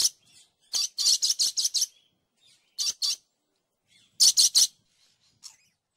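A dusky lory gives harsh, high screeches: a quick run of six, then a pair, then three more, with short quiet gaps between.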